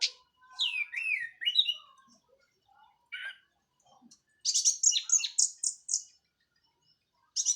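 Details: Orange-headed thrush from Cililin, moult finished, in plong teler song: descending looped whistles and scratchy notes, a pause, then a fast run of very high rapid trilled notes, repeated briefly at the end.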